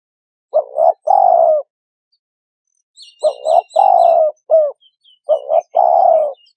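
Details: Repeated cooing phrases from a spotted dove: a paired short coo, a long downslurred note and a brief closing note. A faint, high, rapid twittering series from another bird is heard in the gap.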